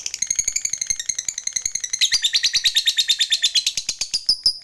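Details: Long ngekek chatter from a fighter lovebird, played to get other lovebirds chattering quickly; high, rapid pulses repeat about three times a second, growing louder and denser after the second second.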